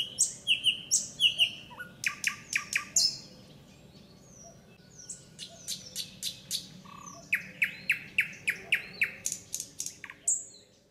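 Fieldfare giving harsh, dry chacking notes in quick runs of three or four a second, mixed with thin squeaky whistles, with short pauses between bursts.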